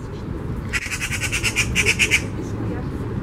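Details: Eurasian magpie uttering one dry, harsh rattle of about a dozen fast repeated notes lasting over a second, against constant low rumbling background noise.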